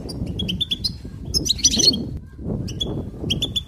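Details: Cheerful goldfinch twittering: quick runs of thin chirps, a buzzier flourish in the middle, then more repeated high notes, against a soft low background rumble.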